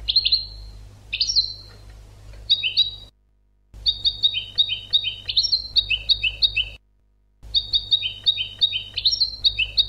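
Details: Goldfinch tutor song for teaching captive birds: rapid runs of bright, chirpy notes repeated in regular clusters, broken twice by sudden silent cuts, with a faint low hum.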